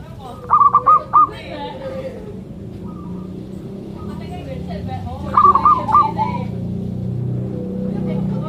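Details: Zebra dove, called a sacred bird, cooing in two quick bursts of staccato, bubbling notes, several seconds apart, over people talking and a low background rumble.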